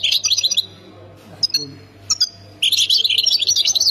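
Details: European goldfinch, Khemis Miliana area of Ain Defla, Algeria: bright twittering high notes, a few isolated sharp chirps, then a dense run of fast liquid trills, over a low background hum.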